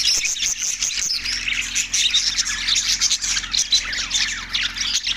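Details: Recorded March 14, 2024 in Larkana, Sindh, budgerigars produce rapid trilling chirps and warbled whistles in a packed chorus, with small gaps and soft clicks between bursts.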